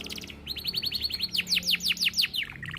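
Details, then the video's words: Canary in full song, kenari gacor style: a fast run of short high chirps rolling into a series of steep downward-swept whistles, each note crisp and evenly spaced, pitched high with little background. "Masteran Kenari Cengkok Mewah - Cuit Cuit Suara Kenari Gacor Panjang"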